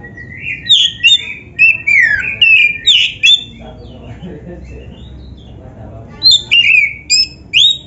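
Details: Black-breasted Oriental magpie-robin in energetic, nonstop gacor song, used for training and luring other magpie-robins to sing: loud clear whistled notes, many sweeping downward, in two quick bursts separated by a silent pause of about three seconds.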